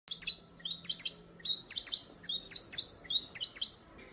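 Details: Saffron finch (canário-da-terra) singing in the disparador style: rapid bursts of sharp, high chirps, mostly in pairs or triplets, repeated about every half second with short pauses between bursts.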